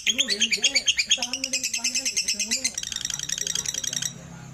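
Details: A lovebird's rapid, buzzy ngekek trill of about three notes per second runs for four seconds and then stops abruptly; a human voice speaks underneath during the first half.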